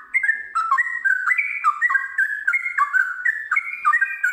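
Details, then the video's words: Sooty-headed bulbul, or trucukan, singing gacor style with ngiwir and long ropel phrasing: clear stepped whistles rising and falling, delivered in quick bouncy phrases about twice a second, nothing else audible. "TRUCUKAN GACOR ngiwir lanjut ROPEL PANJANG"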